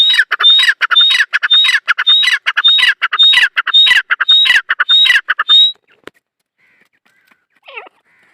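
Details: Dakhni teetar francolin calling: a fast series of harsh, squawking notes with a thin whistled overtone, repeated roughly twice a second for about six seconds, then stopping, with a few faint notes after.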